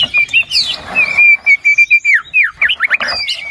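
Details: Short white-rumped shama phrase from a lure recording to get a quiet bird singing: a steady held whistle, then several quick downslurred notes and bright chirps.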